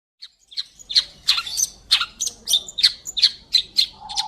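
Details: Long-tailed Shrike singing vigorously in a clear voice, recorded as tutor audio for magpie-robins: a quick series of harsh, scratchy high chirps and squeaky notes, about three per second, with a low hum toward the end.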